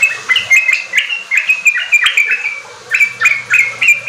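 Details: Yellow-vented bulbul singing for kept birds to copy into riwik and ropel song: clear chirping notes in quick groups, a short pause, then more bright repeated chirps.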